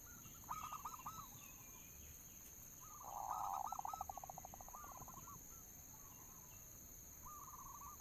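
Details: Local zebra dove lure song: soft hooked coos, then a loud rapid burst of rolling cooing notes that slows into more bent, wavering coos, with a short phrase at the end; a constant high-pitched electronic hum sits behind.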